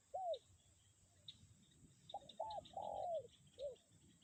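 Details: Spotted dove used as a lure bird, still calling in strong wind: soft hooting coos, a single note then a run of three quick coos with one longer drawn-out note, and a final short coo, over low wind rumble.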